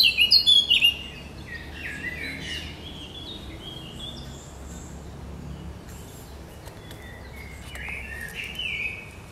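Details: Great reed warbler, 1 July 2020, with its sharp, chattering song: a loud burst of shrill, scratchy notes for about a second, then quieter, grating phrases continuing intermittently against light background noise.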